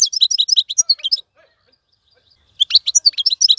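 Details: Wild-caught European goldfinch kept in a cage, singing in a clean voice: two bursts of quick, high twittering notes split by about a second of silence.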